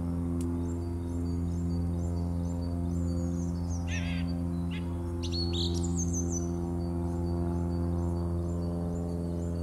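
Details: Song thrush singing in March 2018: a few short, bright phrases of rapid notes, some sweeping downward and others clipped and repeated, heard over a steady, loud low hum that runs through the whole recording.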